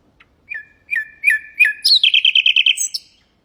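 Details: Common nightingale phrase used to train goldfinches and canaries to sing: four spaced whistled notes with falling tails, then a quick even run of bright repeated notes closing on a high flourish.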